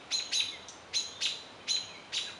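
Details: American robin (Turdus migratorius) primary mobbing call for high-stakes predators such as owls: a loud 'peek' alarm, sharp high notes often doubled, repeated about every half second over a quiet background.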